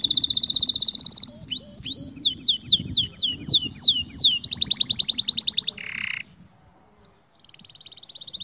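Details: Training song of a canary for young birds: fast buzzy trill, then spaced downslurred whistles, then a dense rolling tour, a short harsh burst, silence, and the trill resuming.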